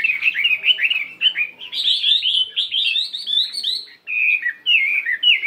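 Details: Fighting-type Chinese hwamei of 72 grams practising its voice in the morning, singing in a varied, voice-switching style: rapid runs of loud, slurred whistled notes that rise and fall, a brief pause near four seconds, then clearer repeated whistles.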